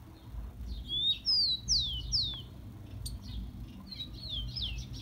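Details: Tico-tico (rufous-collared sparrow) song played to warm up captive birds: several ringing whistles gliding downward, a sharp click, then a quicker, softer string of wavering high notes.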